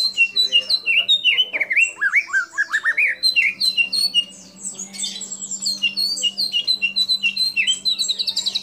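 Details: Energetic white-rumped shama song rich in imitated calls of kapas tembak, cililin, lovebird and canary: dense, varied slurred whistles and chattering notes packed tightly together, with a brief lull midway before rapid phrases resume.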